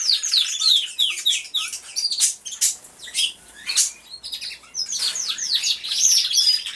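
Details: Canaries in an aviary singing at once, recorded by a hidden camera: high rolling trills and fast descending chirp series from many birds, broken by clicks and brief rustles.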